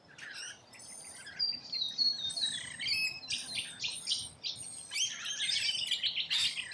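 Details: A feeding flock of rainbow lorikeets in Australia, building from scattered squeaky notes into a dense, raucous wall of overlapping screeching chatter toward the end.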